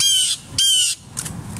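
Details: Blue Jay parent calling in alarm while a person handles its fledgling, which has been on the ground for two days: two loud harsh, rasping squawks, each about a third of a second, then fainter noise.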